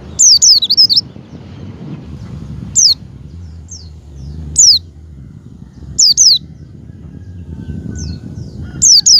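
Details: Javan white-eye, a pet bird, calling in high, thin zigzag trills in short bursts about every one to two seconds, used to stimulate a caged white-eye to open its beak and sing; faint low background hum.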